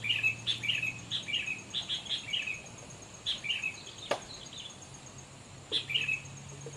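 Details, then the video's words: Sooty-headed bulbul heard during a bird-trapping session with a lure: a quick run of about a dozen bright, bubbly chirps over three seconds, a sharp click, then a few more scattered chirps above a faint low hum. "lagi mikat burung kutilang"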